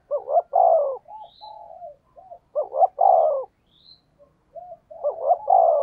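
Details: Thúc gù cooing of a spotted dove, used to draw in wild doves. Three loud, hoarse, rolling coo phrases come at roughly two-and-a-half-second intervals, with quieter soft coos between them and faint distant high chirps.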